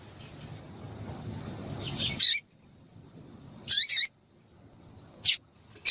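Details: Double-collared seedeater female call to stimulate a male: after two seconds of low hiss, paired high chirps with falling tails, then single sharp notes, four calls in six seconds.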